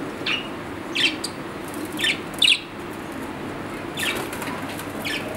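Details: Pet budgerigar, an Australian parrot, giving short bright chirps spaced about a second apart, with a quieter gap midway and a pair of closer notes near the end; faint low room hum underneath.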